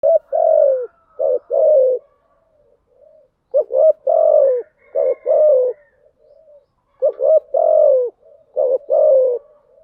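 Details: Spotted dove lure calls meant to draw in wild doves, a female's coo recording used as a decoy: low cooing phrases of two short notes and a long falling coo, repeated in three groups separated by pauses, no other sounds.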